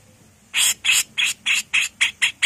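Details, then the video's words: Female grey-cheeked bulbul in full 'mbesetan' mode, kept as a tutoring recording: eight loud, grating bursts in a steady run, each about a quarter second long, spaced evenly and growing slightly quicker. "MASTERAN CUCAK JENGGOT GACOR FULL MBESETAN || CUCAK JENGGOT BETINA GACOR"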